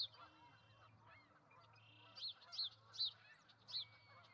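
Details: Pair of ospreys at a nest with two eggs, Charlo, Montana, 08/05/2019: after a quieter start, loud high whistled chirps repeat roughly every half second, over a soft background hum.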